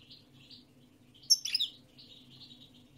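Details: European goldfinch song: a single brief burst of bright, high twittering notes near the middle, with a faint low steady hum behind it.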